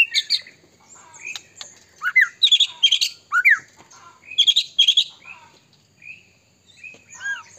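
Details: Caged white-rumped shama singing energetically, its song used to provoke other shamas into singing; loud varied phrases of whistled, slurred notes and harsh chips in bursts, with short pauses between rapid sequences.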